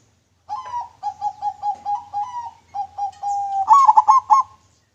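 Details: Local zebra dove with a clear voice, singing for use as a lure: a long series of soft, even coos repeated roughly every quarter second, ending in a louder, rapid bubbling flourish.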